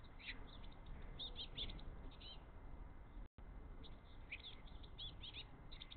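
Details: Baby Eurasian blue tits, three chicks hungry for mini-mealworms, grabbing eagerly as the father feeds them; repeated bursts of quick, high chirps in two bouts, over a low continuous rumble.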